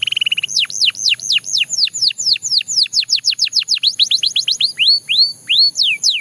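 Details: Belgian canary singing: a brief rapid trill opens into a long run of loud whistled notes that rise and fall sharply, repeated about four times a second, ending with slower rising slurs.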